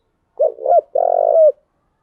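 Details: Captive decoy spotted dove cooing to attract wild doves. Two linked low notes: a brief wavering coo, a short gap, then a sustained buzzy coo that slides down at the end. No other sounds.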